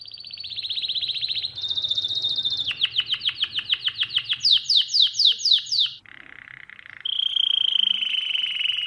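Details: Canary song meant as a lesson for young birds: a long high rolling trill, a slower series of repeated clipped notes that speeds into bright sweeping chirps, then a low buzzy roll and a piercing high sustained trill.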